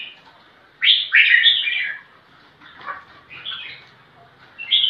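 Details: Crested bulbul in full song, looking for a rival to fight. A loud, rich warbled phrase sweeps up and down, followed by quieter gurgling notes, a short pause and another bright phrase at the end.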